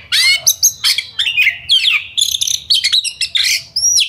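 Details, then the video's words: Oriental magpie-robin with a rapid, full song used to provoke aggression and singing in other birds, short bursts of rising whistled slurs, chirps and buzzy notes repeated several times a second. "Pancingan Kacer Gacor Ngobra Speed Rapat! Efektif Buat Kacer Agar Emosi tarung Bongkar Isian"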